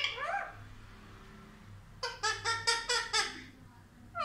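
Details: Indian ringneck parrot that talks, saying "mummy papa": a faint rising note, then six quick, evenly spaced harsh syllables in a burst, over a low steady indoor hum.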